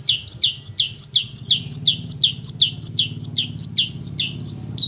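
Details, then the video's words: Tutoring song of a long-tailed shrike for training other birds: a fast run of sharp, downslurred high notes repeated nearly three times a second, with a faint low hum underneath. "PASTOL KAYAK GINI MAH BAHAYA"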